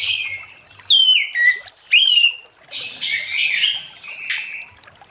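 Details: Orange-headed thrush singing steadily in the late afternoon, used to lure other thrushes into song: varied clear whistled phrases that slur up and down, then a dense, scratchy, buzzy run of rapid notes before a brief pause.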